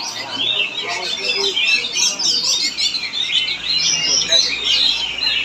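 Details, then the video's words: Oriental magpie-robin performing at a songbird contest in Palangkaraya, Central Kalimantan, Indonesia: dense, rapid, varied high warbling and whistled phrases running continuously, with faint background chatter. "PENAMPILAN APIK KACER"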